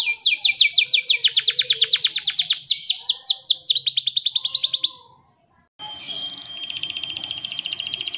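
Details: Canary in full gacor, cengkok mewah style song: long runs of fast, high, descending notes rolling for five seconds, briefly broken into lower sweeping phrases, then silence and a quieter, noisier passage of continued trilling.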